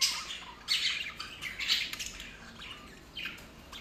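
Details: Budgerigar, a female with seven eggs, chattering in bursts of high, scratchy chirps and warbles.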